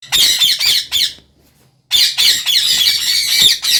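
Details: Parrot giving loud, harsh squawks in quick bursts, a short run of rasping calls, a brief silent pause near the middle, then a dense continuous stretch of grating screeches to the end.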